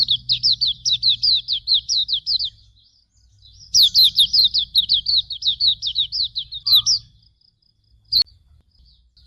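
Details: Hume's white-eye training song: two long, fast bursts of high, down-slurred whistled notes, about eight seconds in total with a brief break between them, followed by a single sharp click and quiet low hum.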